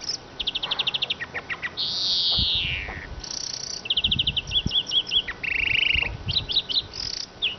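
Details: Continuous siskin song: trills of high ticking notes, a long downward-sliding wheeze, buzzy rattles and chirps, with faint low thumps underneath.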